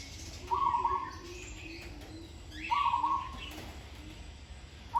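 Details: Zebra dove being trained sings rapid, purring, trilled coos about every two and a half seconds, two full phrases and the start of a third, amid faint high chirps of other birds.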